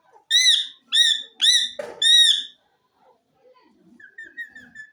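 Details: Green ring-necked parakeet kept as a talking pet: four loud, harsh, nasal screeches in quick succession, then quieter murmuring and a row of thin, faint chirps.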